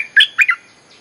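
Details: Bulbul lure phrase for calling wild birds: three rapid, slurred chirps, the first longest and the last two closely paired, in a quiet setting.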